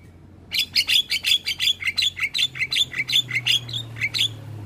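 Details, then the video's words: Javan myna in the morning, a model for young birds: a rapid, even series of about seventeen harsh, buzzy chattering notes at roughly four per second, faint hum behind. "Masteran Jalak Kebo Pagi Hari Pas Buat Jalak Muda"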